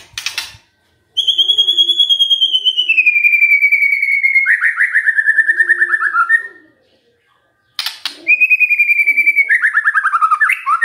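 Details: Shama song played as a lure to get other birds singing: long rapid trills gliding slowly downward from a high pitch, broken by a silent gap, then a second similar descending trill.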